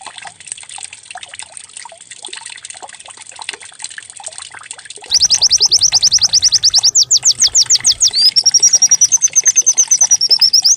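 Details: White-eye decoy song, likened to a canary, used to make birds open their beaks and sing: after five seconds of trickling hiss, rapid high arched whistles burst in, then settle into a fast, level trill.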